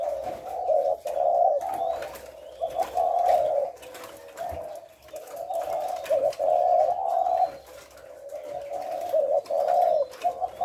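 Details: Low, throaty coos of a spotted dove in the thổ lối style, recorded on 18 September, coming in long swelling phrases broken by a brief quiet gap near the middle; faint thin bird calls above.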